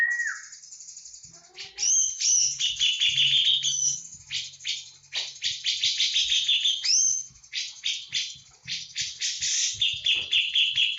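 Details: Javan grey-cheeked bulbul (cucak jenggot) singing a full 'tembakan' song of rapid bursts: high, sharp chirps and twittering notes fired in quick series, with a faint low hum beneath.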